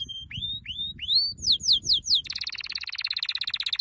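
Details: Canary training song made of a series of slurred, rising whistles that grow stronger, followed abruptly by a fast, buzzy, high trill of rapidly repeated notes.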